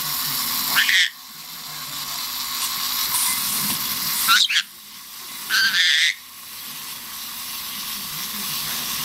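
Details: A Black-headed Parrot (parakeet) gives three short, harsh, scratchy squawks, spaced a few seconds apart, over a steady mechanical whirring hiss, likely attacking wind-up Santa and snowman toys it now targets, especially Santa.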